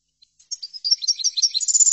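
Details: European goldfinch singing, a recording used to teach goldfinches: a few faint opening chips, then a fast, high tinkling twitter that grows louder and denser to the end, with no other sounds.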